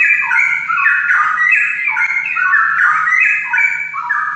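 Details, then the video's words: Straw-headed bulbul in vigorous, nonstop song: mellow, liquid whistled notes that tumble and rise in quick rolling phrases, with a soft low hum in the background. "Cucak Rowo Gacor (Burung Cucak Rawa Ngoceh Terus)"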